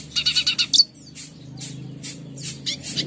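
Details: Red siskin song used as tutor material for caged birds: a short burst of high buzzy chirps, then scattered thin notes over a low background hum.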